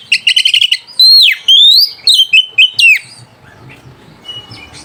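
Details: White-rumped shama singing to provoke rivals and stir mating urge: a fast stuttering chatter, then long clear whistles sliding down and up, followed by short slurred notes, ending in a quiet stretch with faint distant chirps.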